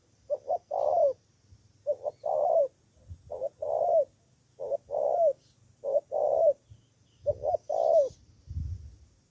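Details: Decoy spotted dove from Cà Mau in southern Vietnam calling back at rival birds, five clear phrases of two brief coos and a drawn-out falling coo, about every one and a half seconds, with faint low thumps.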